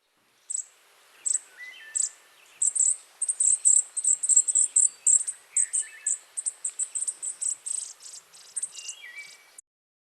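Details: Chipping sparrow (Spizella passerina), begging call: fledgling begging; speeds up as parent arrives to feed.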